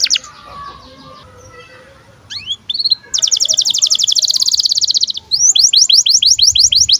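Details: Birahi canary song used to train young canaries to sing and roll: soft twitter, a couple of sweeping whistles, a long dense buzzy trill, then repeated down-slurred chirps.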